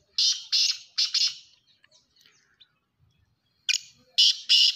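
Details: Black francolin giving its loud rasping call twice: a series of four harsh, buzzy bursts, a short pause with faint twitters, then another run of three grating notes.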